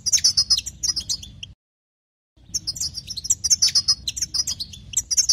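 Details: European goldfinch song meant to excite other goldfinches: rapid bright twittering and tinkling notes in quick bursts, a short silent break, then dense chattering song resumes, with faint low background hum.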